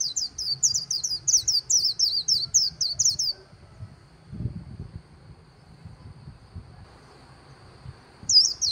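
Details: High, rapid twittering from a white-eye by the Kỳ Cùng river, "líu" style: about three seconds of tumbling sweet slurred notes, then a quiet stretch with soft low background noise and a final short note.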